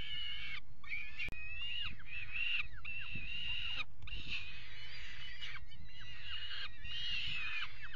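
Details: Peregrine falcons mating on the edge of a water-tower nest box, 5 February 2018; bursts of harsh chattering calls in repeated phrases separated by short pauses, one sharp click, low rumble underneath.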